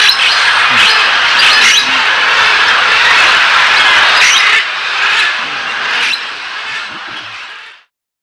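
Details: Thousands of macaws and parrots at a clay lick in the Tambopata region of the Peruvian Amazon (Colpa Colorado or the smaller lick near Posada Amazonas) form a dense, continuous chorus of harsh, raspy squawks, with louder shrieks breaking through every second or so.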